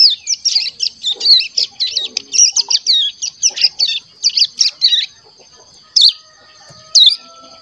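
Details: Young caged crescent-chested warbler, about a month old, learning its song: a fast stream of high squeaky, looping twitters for five seconds, followed by two single sharp chirps separated by silence.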